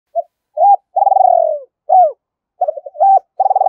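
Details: Spotted dove cooing, a calling bird with a fine voice: short low hoots, a longer trembling purr-like coo, then clipped rising-falling notes, repeated in a quick pattern over a few seconds in a quiet setting.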